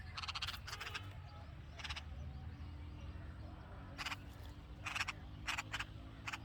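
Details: Red-vented bulbul babies calling from the nest beside their mother, hungry; short scratchy chirp bursts come in uneven clusters, some quick doublets, against a faint low background drone.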